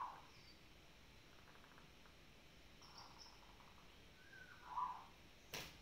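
A zebra dove gives soft, brief rolling coos, mid-pitched and spaced a second or two apart, against a quiet hiss with a sharp click at the end.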